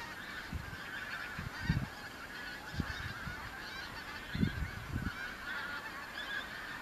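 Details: Migrant pink-footed geese arriving in autumn at the Kelvin Valley, North Glasgow, 25 September 2021; steady honking chorus from many birds, with several loud low bursts of wind noise.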